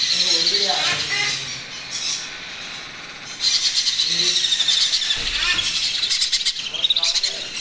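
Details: Baby macaw at feeding time gives harsh, rapid, repeated begging squawks, high and grating, with a person's voice faintly in the background.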